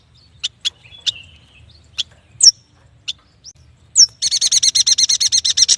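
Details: Yuhina (prenjak batu) song; scattered sharp high chips and thin slurred whistles open, then a sudden steady chattering trill of evenly spaced buzzy notes, about seven per second.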